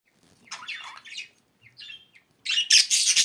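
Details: Budgerigar chirping: scratchy, warbling notes in short bursts, followed by a louder, harsher run of chattering squawks near the end.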